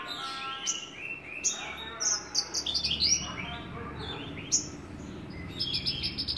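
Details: Javan bush lark singing a lively mix of high twitters, clicks and rapid pulsed chirps, with a faint low murmur in the background at the start.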